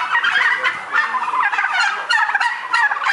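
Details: White turkeys reared in a barn on a farm ahead of Christmas, several birds gobbling at once in fast, warbling, rattled phrases that pulse and overlap continuously.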